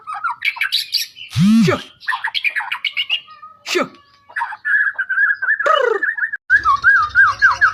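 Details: White-rumped shama of Medan origin mixing chirps and whistles with harsh squawk-like and mewing sounds, then a steady rapid trill of repeated notes; some noisy interruption near the end.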